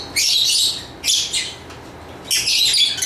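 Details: High-pitched lovebird chirps come in three dense, scratchy bursts with brief gaps between them, over a constant low hiss.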